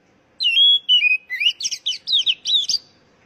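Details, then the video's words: Oriental magpie-robin singing clearly, as a lure for caged birds to sing quickly: two long level whistles stepping down, then a lively chain of short, fluttering, looping notes about three a second. "Pancingan Burung Kacer Agar Cepat Gacor"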